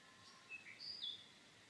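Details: An Australian gerygone gives a few thin, high whistled notes, some sliding down, packed into under a second over a faint outdoor hiss.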